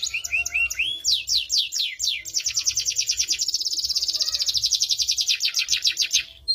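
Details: Canary song opening with short rising chirps, then a series of sharp downslurred notes leading into a long, very fast rolling trill held for about four seconds before tapering off.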